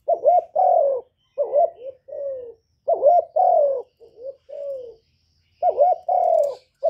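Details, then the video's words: Steady run of spotted dove coo phrases, each a quick rising pair and a longer descending note, cycling about every three seconds without background noise, used to excite other doves. "Cu gáy lớn tiếng, không tạp âm, giọng hay dễ mở, cu gáy kích bổi, cu gáy đi bẩy, cu đất gáy, cu cườm"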